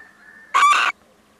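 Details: Visiting male little owl giving a single harsh, noisy screech of about a third of a second, broken by a brief gap, against a quiet background.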